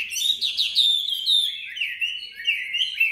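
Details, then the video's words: Tame captive Chinese hwamei in Hanoi sings a fast, rich, contest-style run of clear whistled phrases, sliding and warbling high without pause. "hót đấu giọng hay"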